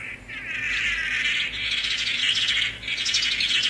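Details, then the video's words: Tangará, known in English as swallow-tailed manakin, singing a steady, harsh buzzy phrase that swells and dips slightly for nearly four seconds, with a brief drop in volume near the start. "Canto do pássaro "tangará""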